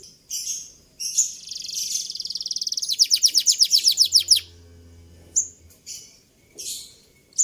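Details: Canary training song with scattered chirps, then an accelerating buzzy trill, followed by pauses and isolated high notes, with a low hum in the background.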